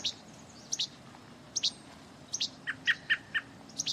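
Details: American robin in autumn in the Montreal region of Quebec, migrating south and seemingly nervous, gives a dozen short, sharp, high chirps in pairs and clusters over four seconds, ending with lower squeaky notes.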